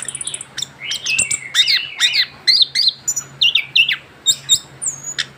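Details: Caged young orange-headed thrush, newly through its moult, singing a rolling string of slurred whistles and descending notes, some buzzy, in close succession, over a steady low hum.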